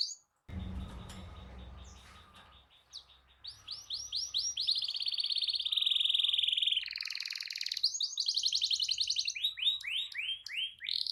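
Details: Canary in full rolling song, meant to provoke other canaries into singing: after a burst of low broadband noise, a long, loud, high trill runs for several seconds, then fast repeated downward-sweeping whistled notes, with a fast trilled phrase between them.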